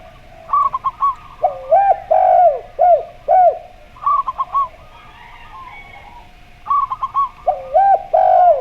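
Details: Zebra dove song in slow voice style mixed with a spotted dove's gayer-style cooing: rapid short coo runs followed by longer arched, fluty notes, repeated in three bouts with brief silences.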